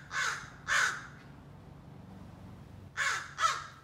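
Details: Young American crow practising scolding and territorial calls: four short harsh caws in two pairs, a long quiet gap between the pairs, over a low steady background hum.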